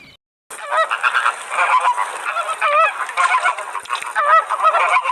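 A flock of flamingos keeps up a dense, continuous chorus of nasal, goose-like honks, many voices overlapping with rising and falling notes.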